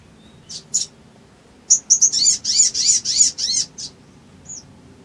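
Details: Sooty-headed bulbul singing in an emotion-provoking lure recording: a few scattered high chips, then a harsh, buzzy burst of repeated chattering notes, each with a falling tail, roughly three per second, fading into single chips.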